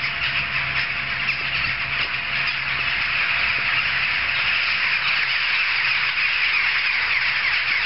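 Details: Jackdaws in a large assembly chatter without pause, raspy calls piling over one another in a seamless mass, over a low engine-like hum.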